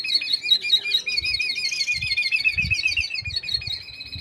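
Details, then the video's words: Mixto, a canary hybrid, singing in preparation for contests: an unbroken, fast warbling trill of high undulating notes throughout, with soft low thuds underneath. "mixto Camacho el rojo 2025. Buena preparación para los concursos."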